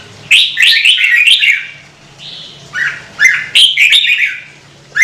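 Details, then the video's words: Red-whiskered bulbul in Vietnamese bird-keeping audio for rousing birds to sing: lively slurred, bubbling phrases, a softer flat whistle in the middle, then renewed bright bursts, with a faint background hum. "CHÀO MÀO | Kích chim nhạy hót - Thúc chim hót hay căng lửa"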